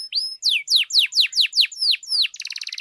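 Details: Canary song played to stir up other canaries to sing: a run of about eight bright, downward-sweeping whistled notes in even rhythm, then a fast buzzy rattling trill at the end.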